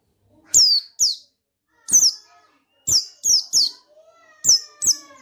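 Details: High, shrill down-slurred notes from a male buxtoni white-eye, used to goad another bird to sing, delivered singly or in pairs at irregular gaps, with a soft lower whistle and faint humming near the end.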